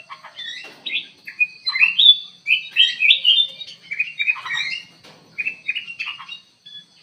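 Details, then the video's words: Black-crested bulbul kept in an aviary as a lure bird, singing vigorously: a long run of bright slurred whistles and chirps, roughly four notes a second, with brief gaps and a steady high background tone. "KUTILANG EMAS GACOR DIDALAM AVIARY"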